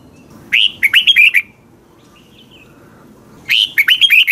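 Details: Red-whiskered bulbul singing in the morning for training other birds: two crisp phrases of chirped, slurred notes about three seconds apart, with a soft brief whistle in the quiet gap.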